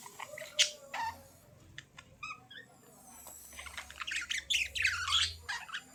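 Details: Chirping budgies: a sharp squawk, a brief series of short pulsed notes, then a rising swell of dense, excited chattering from several birds.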